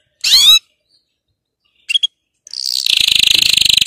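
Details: Canary song meant for training young birds: a short high trilled burst, two brief chirps, then a fast, loud, even rolling trill that runs to the end.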